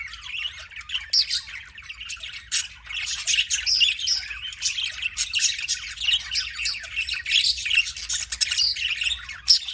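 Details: Budgerigar warbling in a long, high chatter of twittering chirps, clicks and scratchy squeaks, nearly continuous and evenly busy throughout, over a quiet background hum.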